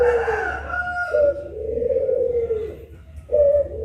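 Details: Puter pelung collared dove calls with a rough opening note followed by a long, even, low coo and the start of another, a deep steady voice.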